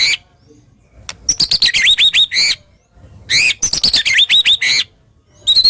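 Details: Indonesian white-rumped shama singing harsh, sharp 'tembakan' bursts to spark song in other shamas: three loud phrases of fast high chips and repeated looping upslurred whistles, each about a second long, with short silences between.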